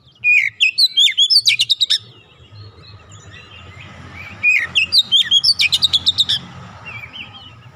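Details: Singing oriental magpie-robin, an untrained bird: two bursts of quick whistled notes, each running into a fast, regular string of sharp ticks, with a quiet pause between them.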